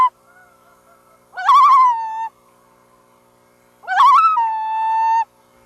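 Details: Loon uttering two calls spaced about two and a half seconds apart, each starting in a fast, wavering quaver before stretching into a long, even, sustained tone; background otherwise hushed.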